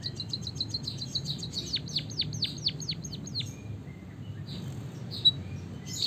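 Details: Javanese white-headed munia with canary-style song in a long rolling delivery, used to train other birds to sing: rapid high ticking notes slide into a run of sharp descending whistled sweeps, ending in a quieter pause with a single high note.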